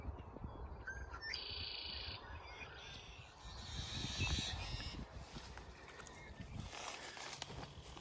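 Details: Yellow-headed blackbirds singing with enthusiasm at a busy prairie pond near Saskatoon, Saskatchewan, on May 12. Harsh, buzzy rasping bursts come in short blocks over a steady low rumble from the surroundings.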